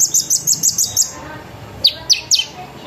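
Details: Sunbird singing as a lure to set off other sunbirds: a fast run of high rattling trilled notes, then three sharp descending slurred whistles.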